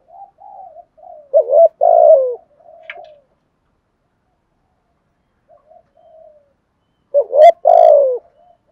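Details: Spotted dove cooing: a soft murmuring lead-in followed by a loud, rounded two-part coo, then a pause and the same strong coo phrase again, in a quiet setting.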